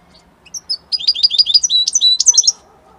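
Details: Italian European goldfinch singing: a few thin introductory chirps, then a continuous run of fast, liquid twittering and bright, metallic trills lasting about a second and a half before falling quiet.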